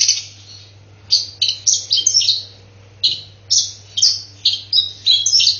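Long-tailed shrike giving bursts of harsh, high chirps and chattering notes, like squabbling sparrows, repeated every half second or so, over a faint low electrical hum.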